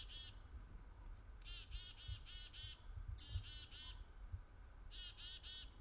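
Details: In snowy winter, a chickadee gives three bursts of chick-a-dee calls, each a thin high note then four or five harsh, buzzy dees, over low wind rumble; a viewer says this call warns other birds, more dees signalling bigger threats.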